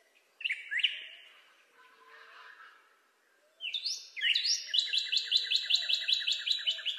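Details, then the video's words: Northern cardinal singing: two loud downslurred whistles sliding from high to low, a soft pause, then a rising slurred note leading into a fast run of repeated chip-like whistles, about six per second, over a quiet background. "Northern Cardinal (Cardinalis cardinalis) Calling"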